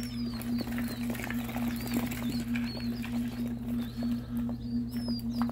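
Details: Newly hatched ring-necked pheasant chicks, about sixty just taken from an incubator, hatched from Nebraska eggs, give thin, high, downslurred peeps that overlap and repeat rapidly over a steady low electrical hum.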